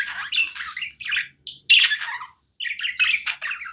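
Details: Budgerigar kept as a pet, giving bursts of harsh squawky chirps separated by two brief pauses, the phrases short and uneven.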